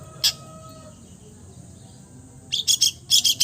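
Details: Mimicking song of a long-tailed shrike: a single high chirp, a pause of about two seconds, then rapid harsh chattering bursts of high notes.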